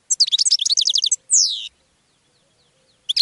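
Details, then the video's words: Goldfinch sings a rapid chattering run of about fifteen high notes, then a long downward-gliding slur, with a fresh phrase starting at the end; song given to attract other birds. "GOLDFINCH SONG to ATTRACT Other Birds"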